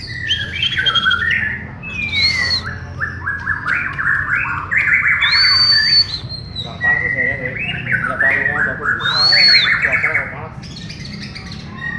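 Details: White-rumped shama from Borneo (murai batu Borneo) training alongside other birds: a long, rich, varied song of rapid stepped notes, rattling trills and three arching high whistles spread across the phrase.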